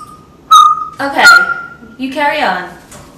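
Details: A male pet African grey parrot showing off his repertoire of sound effects gives a clear, level whistle, then a burst of harsh, voice-like mimicked sounds and a wavering speech-like phrase.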